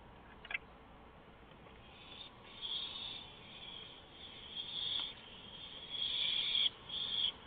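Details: An owl at 3:16 AM on 1 April 2015, being fed a gopher, gives drawn-out raspy hissing calls in bursts of one to two seconds, separated by short pauses, over quiet background hiss.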